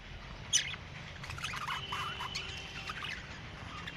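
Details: A pair of budgerigars chatter with quick, scratchy chirps and short warbled notes.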